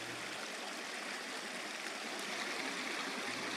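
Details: Spring creek water gurgling continuously through the Whitemud Creek Valley in Edmonton, Alberta, Canada, with a faint low hum and no calls.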